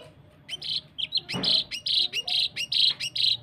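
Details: Cucak kinoi training song in the 'tembakan rapat' style, used to prompt birds to sing: a fast run of bright chirping notes, roughly a dozen in three seconds, with one broad noisy burst in the middle.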